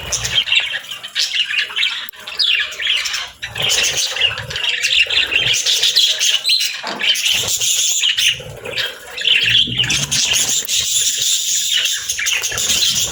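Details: Budgerigar family, parents feeding young; continuous high chattering and squeaky chirps from a group of birds, with brief dips in loudness and occasional harsh notes.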